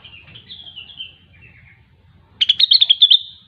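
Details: Grey-cheeked bulbul, called cucak wilis or rengganis, sings a descending whistled warble, falls silent briefly, then bursts into rapid loud chirps at high pitch, quiet hum behind.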